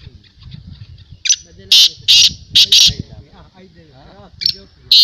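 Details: Black francolin calling at a 2022 calling tournament: a run of loud, harsh, high clicking notes, about six in quick succession, over steady background talk from people.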